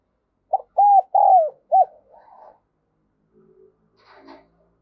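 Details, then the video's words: Spotted dove used as a decoy bird, calling to lure other doves; a phrase of four loud hooted coos, short, arched, long slurred then short, with softer murmurs after and faint scratchy noise near the end. "Chim Cu Mồi Giọng Đồng Son gáy Gọi, Kích Bổi Cực Nhạy"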